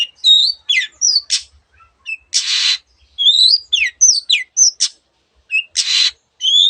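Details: Long-tailed shrike in lively song imitating many other birds: quick slurred whistles and chirps broken twice by a loud harsh rasping burst, with short silences between phrases.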